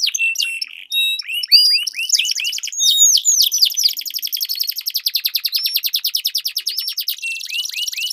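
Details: Canary duel song used as a lure for competition birds: varied whistles and upswept notes open into a long, fast, pulsing roll of evenly repeated high notes, ending in more upswept whistles.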